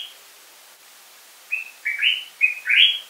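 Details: After a second and a half of near silence, a common bulbul delivers one phrase of four warbled whistles, the last note rising and loudest.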